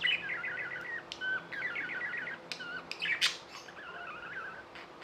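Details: Pet budgies chatter in fast trilled warbles, a few flat whistled notes and one loud harsh squawk, over a faint hum.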